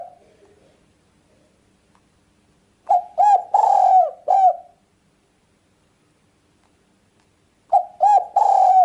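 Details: Spotted dove (tekukur) cooing, used to attract birds for trapping and hunting: after a quiet stretch, a phrase of soft low hoots with a long rolling middle coo, then the same phrase starts again.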